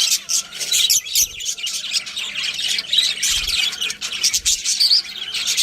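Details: Pet budgerigars keep up continuous scratchy high chirping and chatter, with occasional soft low knocks underneath.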